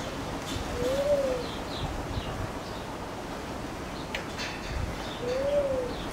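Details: Coleto (Sarcops calvus) at Attica Zoological Park, Athens, gives two soft, low whistles about four seconds apart, each rising then falling, over steady background hiss with faint higher chirps.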